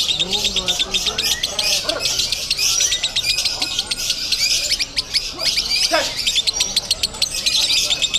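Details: Lovebird at a singing contest in Bandung, giving the konslet style of song: a dense, nonstop stream of shrill chirps and sharp squawks with rapid repeated notes, and voices of people in the crowd underneath.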